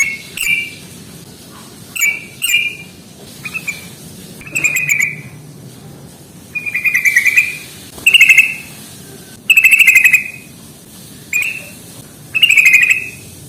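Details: Trucukan (Yellow-vented bulbul) ngalas tarung fighting rattle, used to stimulate birds that seldom sing. About ten short buzzy rattled bursts, irregularly spaced over thirteen seconds and growing louder toward the end.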